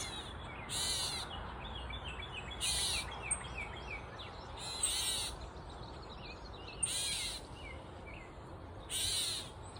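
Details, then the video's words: A Gray Catbird on a mulberry tree gives five harsh, nasal, cat-like mews, one about every two seconds, over faint chatter from other small birds. "Grey Catbird on Mulberry Tree (annoying sound?"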